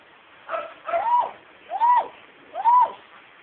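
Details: Household pet myna, a female that copies the family's everyday speech, giving three arched, rising-then-falling vocal syllables about once a second after a short double note.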